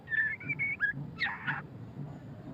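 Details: Short phrase of murai batu (white-rumped shama) song, ngeriwik style: three flat whistled notes and a downslurred whistle, then a harsher, buzzier double note, over a low hum.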